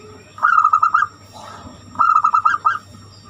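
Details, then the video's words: Zebra dove of the banyumili type, a local Indonesian bird, singing a distinctive song used to lure other birds into singing: two bursts of five or six quick, clear cooing notes, a steady low hum underneath. "Perkutut banyumili suara unik cocok untuk pancingan"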